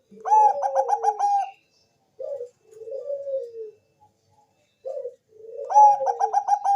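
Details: Zebra dove of the Bangkok type, lure song intended to make other doves respond. A rapid stuttered trill of ringing notes leads into falling mellow coos. After a quiet gap, short coos follow, and another stuttered trill closes.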